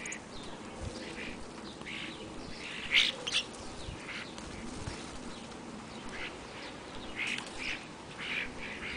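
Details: European starlings feeding on the afternoon of 8 February, before an overnight blizzard; several birds give harsh, rasping squawks and scratchy chatter in uneven bursts over a steady hiss of background noise. Common starling.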